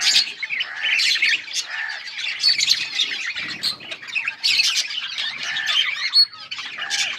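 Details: Chattering yellow budgies on August 20, 2024: harsh squawks and quick twittering chirps run together, punctuated by short nasal notes repeated roughly every second.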